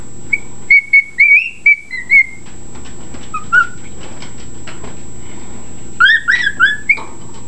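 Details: Pet bird whistling indoors, described as singing reveille and wolf whistling: a run of clear level and slurred whistles, a short pause, then a burst of rising and falling whistled notes, steady background hum.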